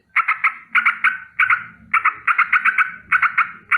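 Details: Rolling danger alarm from a sooty-headed bulbul in the morning: loud paired harsh notes repeated in quick clusters, close and steady, over a faint low rumble.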